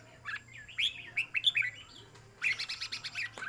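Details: Red-whiskered bulbul kept in a cage, singing phrases counted in a song competition: short, clear, down-slurred whistles in a quick string, a pause, then a busier, buzzy burst of notes.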